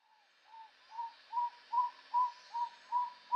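Tody Motmot giving a series of about eight short, hollow, hooting notes, evenly spaced roughly twice a second at steady mid pitch, over a faint insect hiss.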